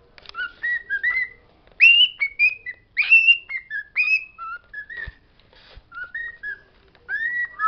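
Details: Pet bird singing words it knows: bright, loud, rising whistles with raspy edges alternate with shorter, softer level notes, with a couple of faint clicks in the background.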